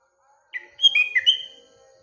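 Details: Sooty-headed bulbul in the morning with other birds around: a quick warbled phrase of clear, slurred whistles, slightly dropping then rising, over a faint steady low hum.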